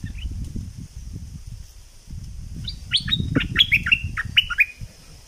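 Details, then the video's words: A bulbul of southern Thailand delivers a fast series of about eight sharp, downward-slurred whistles over low rumbling background noise, in its double-style song. "เสียงนกดอกแตงภาคใต้ สายเบิ้ล!!!Burung merbah lekir gacor bahanan"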